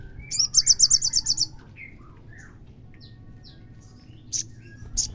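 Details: A rapid burst of about ten bright high notes opens this Olive-backed sunbird song, meant to provoke a caged bird into singing. Faint lower whistles follow, then two short high chips.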